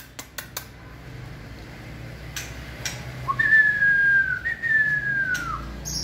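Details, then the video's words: White-rumped shama in peak 'fire' singing condition during the 2020 season gives two long, clear whistled notes sliding gently downward after a few sharp clicks, with quiet background. "Cọp Biển rực lửa (shama bird)"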